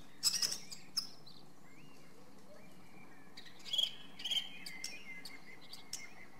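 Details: Song thrush singing: a loud, harsh burst opens, followed by a long pause filled only by distant warbling, then a cluster of crisp, high, chattering notes near the middle and scattered short notes after.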